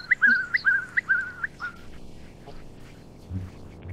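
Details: Eastern curlew (red-rumped curlew), a large long-billed shorebird: four or five quick whistled notes with sharp rising onsets, then one weaker note, followed by quiet background with a low rumble.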